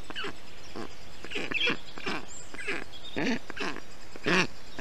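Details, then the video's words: Black stork storklets in an Estonian nest on a hot day, 20 June 2021, being cooled by their father with water and wet grass; several harsh, nasal, bleat-like calls spaced about half a second to a second apart. "Must-toonekurg~Karl does everything possible to cool down the nest and storklets"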